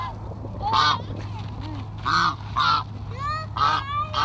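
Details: Geese being fed give loud nasal honks in irregular bursts, some single, some doubled, with short gaps between them and a steady low hum underneath.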